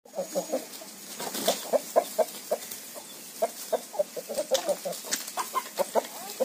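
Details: Chickens with a rooster on a farm: rapid low clucks repeated several times a second throughout, over constant broadband hiss with scattered clicks and knocks.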